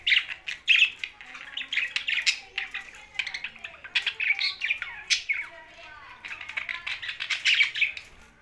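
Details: Pet budgerigars sharing space with parrots in Larkana, Sindh: a long run of twittering warble, quick chirps and slurred whistles in bursts, many birds calling over one another.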